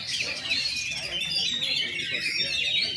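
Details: Caged kacer (magpie-robin) hung up on a pole for the first time, singing in tembak and rambatan style: a dense, unbroken stream of high, sharp whistles and chirps with quick rising and falling strokes, over a low hum.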